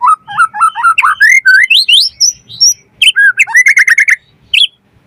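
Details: White-rumped shama in energetic, full song, used as a lure to provoke other birds to sing and as a tutoring track: a rapid run of clear whistled notes climbing step by step, then a burst of sharp chirps and a final high whistle.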